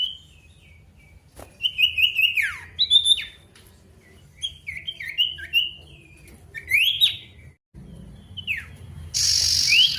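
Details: Male pied bush chat calling out to a rival with short, squeaky, twisting phrases that sometimes rise and sometimes drop, separated by pauses, ending with a sudden burst of loud hissing noise.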